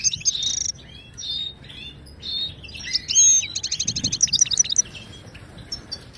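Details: Moroccan goldfinch of the Ouidani style, song played to caged birds to teach singing: buzzy opening notes, soft slurred whistles, then a bright rolling trill of quick repeated notes near four seconds.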